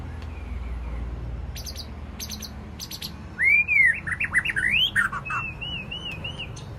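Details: White-rumped shama communicating with its flock inside an aviary: faint clicks and a soft whistle, then a loud rich phrase of arching, tumbling whistles, ending in a wavering warbled note, over low background hum.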